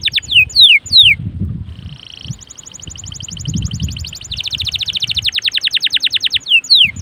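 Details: Canary in energetic song, played to encourage other canaries to sing: falling whistled notes, then long, fast, even trills building in loudness, ending with more downslurred whistles; low rumble in the background.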